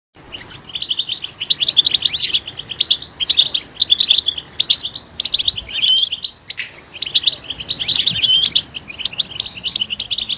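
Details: A European goldfinch, stimulated to sing loudly, gives a loud, fast, tinkling stream of high twitters and buzzy trills, pausing only briefly before rushing on.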